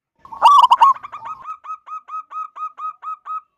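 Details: Zebra dove with a big voice, local wild type, singing to encourage other doves: a harsh burst of clustered notes, then about a dozen clean coos repeated roughly every quarter second, fading out.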